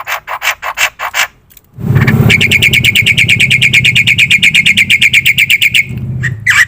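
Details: Black-winged myna singing strongly, used as a lure and master recording: loud harsh notes, then a long, fast, even rattle of buzzy notes repeated several times a second over a steady low rumble.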